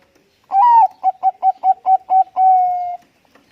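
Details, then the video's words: Bangkok-type zebra dove with a big, loud voice, cooing in response to another dove: a long opening note, then six short rhythmic coos, closing with a drawn-out falling coo, all in a clean, quiet setting. "perkutut bangkok gacor suara besar tercepat merespon burung perkutut bangkok langsung nyaut."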